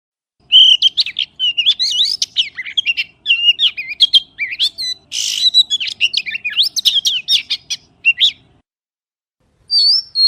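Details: Long, lively outpouring of varied whistles, chirps and trills from a magpie. Notes swoop up and down in quick succession for nearly eight seconds, broken by one short harsh rasp, then a pause and a final whistled phrase.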